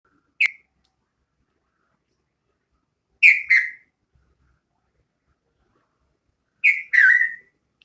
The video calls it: Bulbul bird speaking